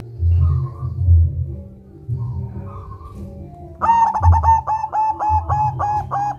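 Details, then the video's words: Zebra dove of local stock giving the ngerol rolling song, used to lure other doves: low rumbling noise at first, then from midway a run of about seven rolling coos continuing to the end. "Perkutut lokal gacor SUARA NGEROL DIDEPAN bikin kutut macet JADI BUNYI."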